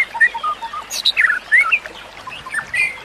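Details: White-rumped shama song meant for training other shamas: softer, scattered whistles and brief chirps, one louder upslurred phrase midway, set against a noticeable steady hiss of trickling water.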